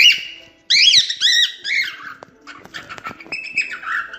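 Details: Cockatiel singing to teach cockatiels to sing: three loud arched whistles in a row, followed by quieter chattering notes and a falling whistled phrase.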